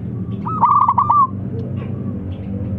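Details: Single loud rolling trill from a local zebra dove, a quick burst of cooing notes lasting under a second, heard over a steady low hum, calling to get other doves to answer.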